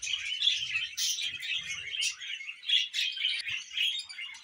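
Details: Budgerigars chirp and warble in a lively, bubbling stream of high squeaky notes that swell roughly once a second, with a few clear whistled pips and low rustling thuds early on.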